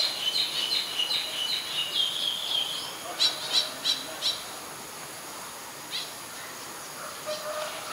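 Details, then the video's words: Ashy woodswallow in Ubon Ratchathani, Thailand, 25 February 2022, giving dense, scratchy chattering for about three seconds, followed by a few sharp separate notes and quieter scattered calls in a rural setting. "นกแอ่นพง : Ashy Woodswallow"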